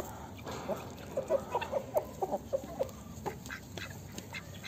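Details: Poultry giving a quick run of about ten short, nasal, mid-pitched calls over roughly two seconds, with a soft background hiss, from a mixed flock of chickens, a duck, geese, turkeys and guineafowl free-ranging outdoors in a zoo yard.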